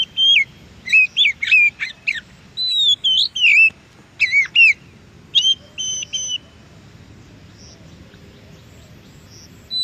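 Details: Wild Oriental magpie-robin (kacer) song used as a training recording for caged birds; rapid series of sharp, swooping whistled notes with harsh overtones, delivered in quick bursts for about six seconds, then a pause.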